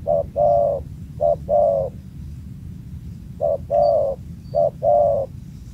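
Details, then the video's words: Wild spotted dove with a loud, booming voice at an old site: low coos in pairs, a quick short note then a longer sustained one, repeated four times, over a soft low hum. "jergot suara MENGGELEGAR"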